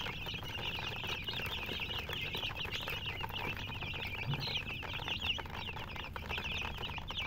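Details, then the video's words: Chickens alongside a murgi hen, chirping nonstop: rapid, thin, high-pitched peeps crowd together in an unbroken wash over a constant low background hum. "silly chicken chirping sounds with murgi hen color chicken"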